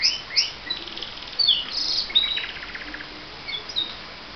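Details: Pet canary singing indoors, heard each morning: high varied phrases of chirps, short whistles and rapid buzzy trills, with brief pauses between bursts.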